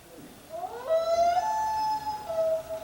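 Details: A common loon gives its wail, a call loons use to find each other and often heard at night. It is a long, mournful note that rises, holds, steps higher, then falls back, like a distant wolf's howl.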